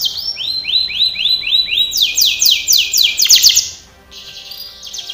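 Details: Canary singing a training song: repeated rising-falling whistled phrases, then a fast buzzy trill of sweeping notes, a brief pause and a high chattering phrase; possible faint music underneath.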